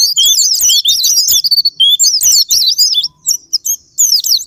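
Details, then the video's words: High, agitated twitters of a Japanese white-eye, from a sparring-partner lure for pleci. Quick sliding squeaks run in short rushes, then thin out into scattered, separated notes toward the end. "Sparing Patner,ampuh buat pancingan Semua jenis burung pleci pemicu andernalin"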